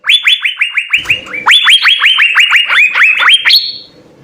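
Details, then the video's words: Lively song of an Asian fairy-bluebird with full fill-in phrases, used as a master for songbird training: an unbroken stream of sharp rising whistles, ending on a higher drawn-out note. "suara 4 CUCAK BIRU GACOR full isian"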